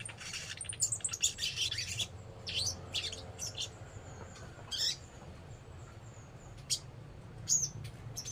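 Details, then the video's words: Sogon singing: a rapid cluster of scratchy high chirps, then scattered sharp notes and short down-slurred twitters with gaps between them, over a constant low hum. "sogon SNI"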